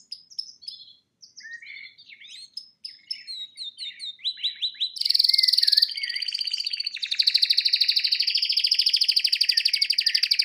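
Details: Captive male canary singing his heart out in front of a television: varied chirps and quick, slurred notes build in loudness into fast, buzzy, high trills held for several seconds.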